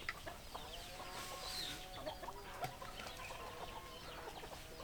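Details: Chickens clucking softly, with quiet, scattered clucks and short notes over steady background noise.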